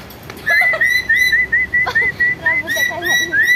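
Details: Lory whose calls are meant to get other birds singing: an even series of about eight short whistled notes on a level pitch, with faint lower chatter underneath.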